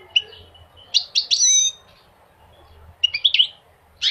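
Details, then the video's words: Goldfinch phrases in separate bursts: a soft early chirp, then a cluster of bright, ringing twitters, a quiet gap, and another quick group of high chirps, with one more note at the very end. "Singing the goldfinch is amazing song"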